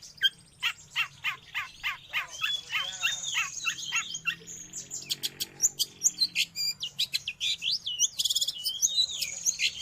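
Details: Long-tailed shrike song for training captive birds or luring wild ones: repeated sharp chips at first, then a mixed chatter of whistles, rattles and high squeaks.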